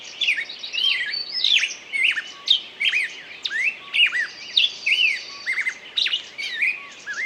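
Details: Continuous bird chatter of whistled slurs and crisp tweets, arriving in quick irregular bursts over a soft high trill.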